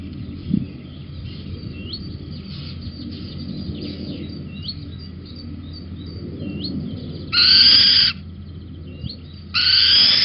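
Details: At Holten on 19 May 2020, 11:37, a little owl on a beam gives two loud, coarse hissing screeches near the end. Soft, faint twittering and a low hum come before them.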